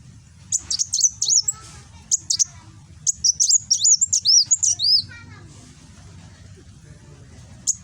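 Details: Rapid nembak song of a kolibri wulung sunbird, Gresik, East Java, captured by phone: long run of quick, shrill chirps and swooping whistles for about four seconds, then near silence before one last note.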